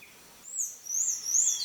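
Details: Young buff-necked ibis asking to be fed, wild in Brazil's Cerrado: two drawn-out, thin, very high squeals that waver up and down, the second longer and louder.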